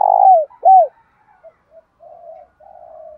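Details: Spotted dove decoy with a native-style voice, calling to draw wild males: a loud buzzy coo slurring downward, a bright arched coo, then soft scattered notes and two low hummed phrases.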